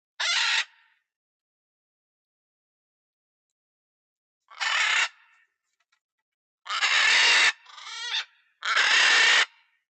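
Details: Macaw in an aviary, apparently in Florida, gives four loud, harsh, raspy squawk bursts about half a second to a second long, the last two close together with a rattling note between.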